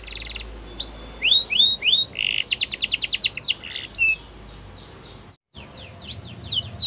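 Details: Song of a Yorkshire canary meant for training other canaries: a buzzy burst, rising whistled notes, a rapid rattling trill, then after a short gap, thin descending and rising notes.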